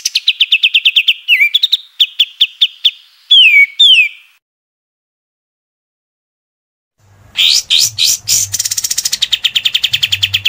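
Scarlet-headed flowerpecker: rapid, very high, thin ticking chips and quick downslurred whistles. A pause follows, then a busier burst of chattering notes over a faint low hum.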